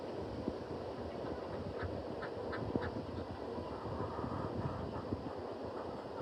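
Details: Ducks at sunrise quack in a short run of nasal notes near the middle, set against a steady low rumble of background noise.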